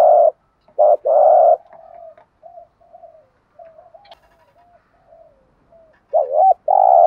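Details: Cooing male and female spotted doves, used to excite a trained bird: loud short-long coo phrases at the start and end, with softer murmuring coos in between.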